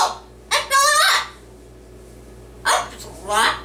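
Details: Male pet yellow-naped amazon parrot talking in a human-like voice while reciting from a Dr. Seuss book; two short groups of harmonic, slightly gravelly syllables separated by a quiet pause, indoor hum underneath.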